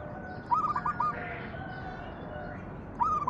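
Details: Zebra dove (perkutut) cooing song, played as a lure to get other doves singing: two short phrases of quick, mellow, rolling coo notes about two and a half seconds apart over a soft background hiss.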